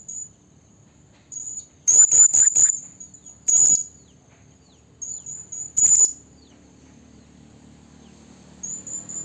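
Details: Female blue-crowned hanging parrot calling to a male, a sound used to lure the species for trapping. A fast series of four shrill high notes, then two separate sharp calls amid faint thin whistles.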